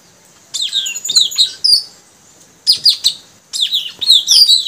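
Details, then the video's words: A new young male mangrove whistler, one of three males being trained to sing as a lure bird, sings three quick bursts of rich, varied, high whistled and chattering notes, each about a second long with short pauses. "Suara gacor burung puling tajaling si anak baru"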